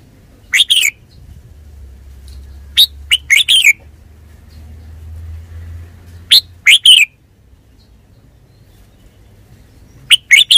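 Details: Red-whiskered bulbul repeating brisk chirped phrases of two to four notes every few seconds over a low steady hum, with long quiet gaps between bursts.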